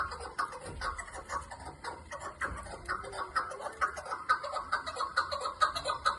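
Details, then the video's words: Chukar partridges (keklik) give harsh, clucking chuk notes about twice a second, overlapping into a busy, steady chorus over a faint hiss. "shekari chakor Voice"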